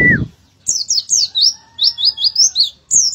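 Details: Oriental white-eye singing actively: a quick run of high, thin twittering notes, each a short sweeping chirp, delivered in a near-continuous chatter. A brief louder whistled note over a noisy burst opens the recording.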